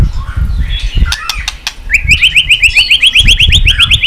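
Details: White-rumped shama, stimulated to sing and flicking its tail: scattered clicks and low thumps, then a fast series of about a dozen identical rising whistled notes, roughly three each second.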